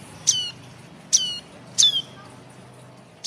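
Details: Young ashy tailorbird used as a lure for catching birds, giving three sharp, high chirps with a bright downward-sliding tone, spaced about a second apart over a quiet background.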